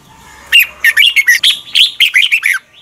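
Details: Red-whiskered bulbul singing a morning training song, a continuous two-second run of about ten bright, chirpy, slurred whistled notes, loud and close.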